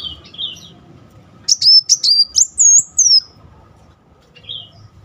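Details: Sunbird (kolibri muncang) used to trigger singing in a quiet bird; a few soft high notes, then a loud series of sharp slurred whistles and drawn-out descending tones, low background hum.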